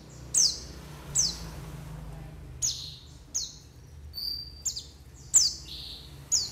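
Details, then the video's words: White-eyes calling, a recording used to lure birds: a busy run of high, falling, whistled notes, with a few steadier tones mixed in, at irregular short intervals. "SUARA PANGGILAN PLECI UNTUK PANCINGAN PLECI"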